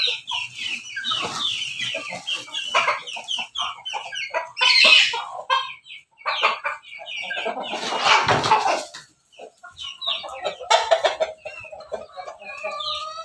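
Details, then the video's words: Crossbred chickens, pelung mixed with Bangkok and ketawa, red-combed, on a farm in Banguntapan, Jogja; several overlapping harsh crows with rising-falling tones, loud bursts around five and eight seconds, other birds crowing in the background. "ayam Persilangan ayam pelung Bangkok ketawa berkokok"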